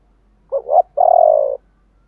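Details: Part of a spotted dove's 'gọi ba hậu' calling coo from a decoy bird in 'thổ pha' voice. A short two-part rising hoot, a pause, then one long, slightly vibrating coo that slowly falls in pitch.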